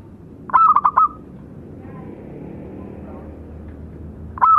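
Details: Local zebra doves, male and female, singing. One full phrase of four quick rolling coo notes, then a long quiet gap, then the start of another phrase at the end.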